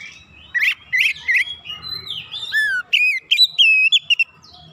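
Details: Song of an oriental magpie-robin aimed at firing up other magpie-robins: loud whistled notes, a long sliding whistle dropping in pitch, then crisp high chips and flat whistles in quick succession.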